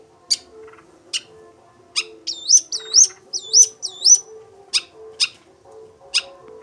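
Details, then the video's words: Long-tailed shrike singing: sharp, high, isolated notes spaced roughly every half second. Four clear whistled phrases in the middle each dip, then swoop upward. Faint low tones recur underneath. "CENDET GACOR"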